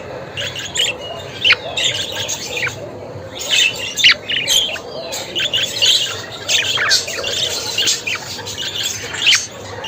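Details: Constant budgie babble of chirps, squeaks and short scratchy squawks, coming in clustered bursts with slightly quieter moments between them.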